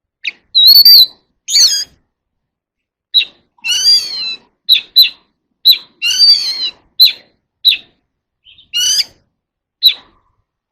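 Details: Oriental magpie-robin singing in contest: a series of sharp, high chips and harsher buzzy notes spaced irregularly, with a few longer squeaky rasping phrases between them.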